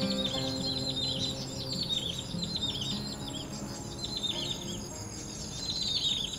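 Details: Vagrant Isabelline shrike (Lanius isabellinus), Taiwan's first record, at Qingkunshen fan-shaped salt fields, Jiangjun District, Tainan, recorded 24.02.20, two months after arriving: bursts of high, squeaky twittering notes several times a second over a steady low mechanical hum.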